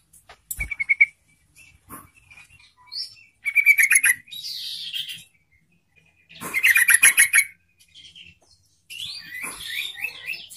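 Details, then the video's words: Captive yellow-vented bulbul singing to provoke other bulbuls to sing, giving bursts of bubbly, chattering notes about a second long, separated by short pauses, with a few softer chirps between. "TRUCUK DIAM jadi RAJIN BUNYI dengan PANCINGAN TRUCUKAN ini"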